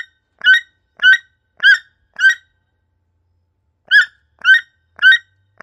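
A toucan gives harsh, croaking notes, about two per second, in a run of four, then a pause and another run of four.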